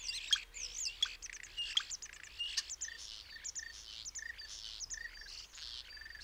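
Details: Common starling delivering a busy medley of high whistles, sharp clicks and buzzy, scratchy notes, with a few sliding whistled phrases standing out among rapid chatter.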